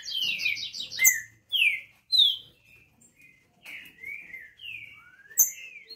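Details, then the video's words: A hybrid Green-winged Saltator in full song: a quick rolling trill, then loud, clear whistled phrases slurring down and up, spaced by short pauses; no other sounds stand out. "TRINCA FERRO MESTIÇO SOLTANDO O VERBO"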